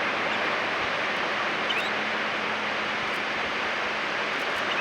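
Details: Steady broadband rushing noise, like surf or wind on a spring coast in South Hokkaido, Japan, with no clear animal call.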